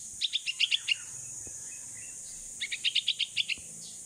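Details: Sixteen-day-old baby bulbul (pulangga), rescued and kept as a pet, calls its mother while learning to fly outdoors: two bursts of about six high, rapid chirps each, separated by a pause of over a second, over a steady insect hiss.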